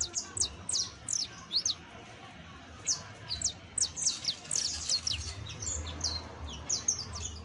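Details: Saffron finch (Sicalis flaveola) song: a lively run of sharp, high, clipped chirps delivered in uneven clusters, some notes slurring downward, with a faint low hum underneath.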